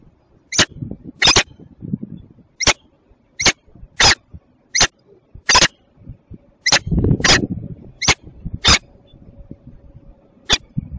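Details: A female peregrine falcon (Falco peregrinus) of Belgian origin at Westpoint, Tilburg, on 27 June 2024 at 08:08 gives short, harsh, scratchy call notes at an uneven pace of roughly one per second, over low rumbling background noise.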